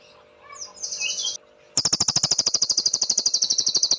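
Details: Cililin song used as master recording for training caged songbirds, described as clear and sharp: a brief warble, a pause, then a fast, steady series of high, piercing chirps repeated about three times per second.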